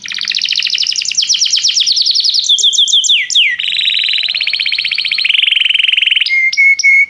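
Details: Canary singing to call another canary to sing, as part of song training; a fast series of rapid trilled phrases, shifting from high sweeping notes to rolling buzzy trills, ending with a few clear whistled notes.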